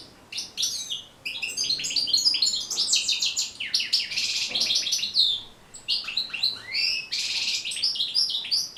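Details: Goldfinch song for tutoring caged birds: a continuous rush of high twittering, liquid trills and buzzy rattles, with sweeping chirps near the end.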